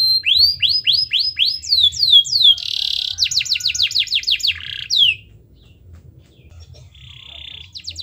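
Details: Canary bursting into song to make lazy birds sing: a series of rising arched whistles, a harsh buzzy burst, a quick run of sweeping notes, then quiet and a faint buzzing trill.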